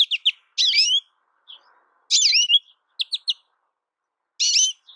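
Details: American goldfinch singing: quick clusters of high, clipped chirps alternate with bright, twisting swept notes in short bursts, separated by brief silent gaps, against a clean, quiet background.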